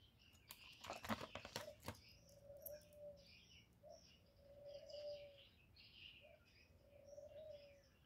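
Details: Spotted dove cooing as a decoy call used to lure other doves: low, soft hooting notes in a short-long pattern, a brief coo then a drawn-out one, repeated twice, with bright chirps from other birds and a burst of clicks early on.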